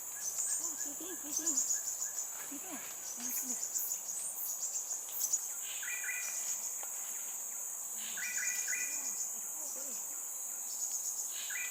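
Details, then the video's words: Just-fledged Crimson Sunbird chick in Singapore, calling at regular intervals to let its parents know where it is while its mother comes to feed it; short stacked chirps recur every few seconds over a loud, steady high insect drone. "Cute Baby CRIMSON SUNBIRD calling"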